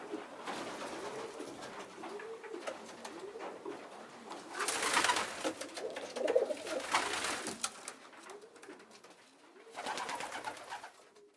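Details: Young pigeons indoors as a weak, small youngster feeds larger young pigeons; a series of low, rounded rising-and-falling coos repeats through the clip, with loud rustling and scuffling bursts in between.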